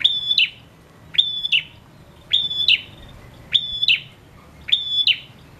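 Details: A vocal male prinia, played to prompt lazy prinias to sing, gives five evenly spaced phrases: a crisp tick, a thin steady high whistle, then a rasping snap, repeated roughly every 1.2 seconds.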